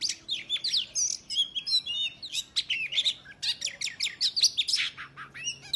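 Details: Oriental magpie-robin singing a fighting song meant to provoke other males into opening their tails: a dense, rapid run of sweeping whistles, sharp chirps and buzzy notes in varied phrases, with brief pauses between bursts.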